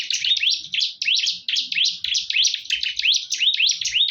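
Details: Bar-winged prinia fighting fiercely, repeating slurred high upsweeping whistled notes in a steady rapid stream, roughly three per second, with faint low knocks below.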